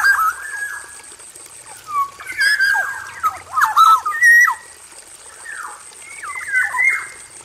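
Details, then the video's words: A male black-naped oriole in an aviary sings rich, fluty, mid-pitched whistled phrases with slurred notes and short varied bursts, over a faint steady hiss; the song is used as a lure. "SUARA KEPODANG EMAS JANTAN GACOR FULL ISIAN"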